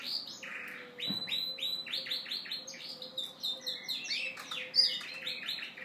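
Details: Yorkshire canary cock serenading a hen in courtship, singing while dancing: continuous loud rolling trills and rapid repeated chirps shifting through several tours, one soft thump early on, low hum behind.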